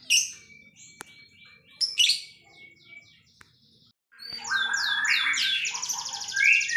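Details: Canary (Serinus canaria) song: bright, rapid trills and rolling phrases, then a sharp pause before a loud, dense burst of high chattering song.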